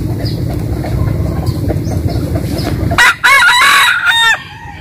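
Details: Rooster at a rural home in western Vietnam crows in the morning. After three seconds of low background rumble, a loud, hoarse crow of broken segments is followed by a clear held note.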